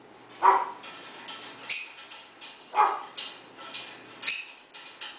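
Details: Pet African grey parrot kept in a household with six dogs, copying a dog's bark: two husky barks a few seconds apart, mixed with scratchy higher chatter.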